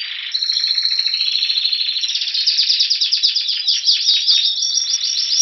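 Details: Male-style Timbrado song from a Spanish Timbrado canary near Athens, Greece, in February before spring: a smooth sustained roll followed by rapid pulsed trills that quicken into a fast chattering tour.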